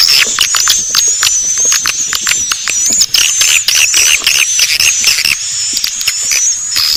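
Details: Recorded swiftlet calling sound, Naga Birahi, used as a lure for swiftlets: a sustained thin, very high whistle running throughout beneath rapid chirps and dense clicking bursts.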